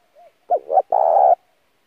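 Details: Lure spotted dove cooing for decoy training: a faint soft opening note, then two short coos rising into one long, rich, sustained coo of about half a second, with quiet background.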